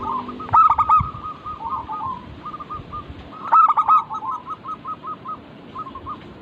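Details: Local zebra dove singing in a lure recording. Two accented bursts about three seconds apart, each followed by runs of short, bouncy coo notes, with some low background rumble.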